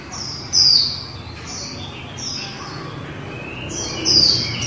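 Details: High, sliding whistles from a female white-eye in líu style, spaced by short pauses, with faint lower chirps in between.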